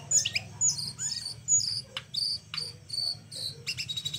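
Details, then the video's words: A small flowerpecker, offered as a master song for training, gives a busy run of very high, thin notes: sharp ticks, short sweeps and squeaky trills, several each second, over a faint low hum. "Kecil2 cabe rawit‼️layak dijadikan masteran dengan gaya sangat unik‼️"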